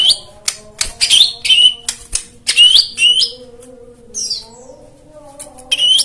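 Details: White-eye song used to encourage silent birds: sharp upslurred whistles and crisp clicks, with a faint low humming tone in the background.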